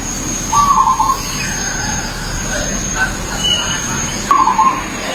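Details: Wild zebra dove in its natural habitat: two short, rapid, bubbly cooing trills about four seconds apart, with faint softer notes between, over a steady high electrical whine and broad background noise.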